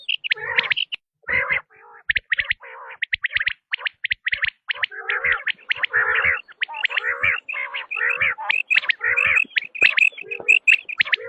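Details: Tested quail call, batair: dense, gargling chatter of harsh chirps and buzzy notes running almost continuously, with occasional brief gaps and higher sharp ticks.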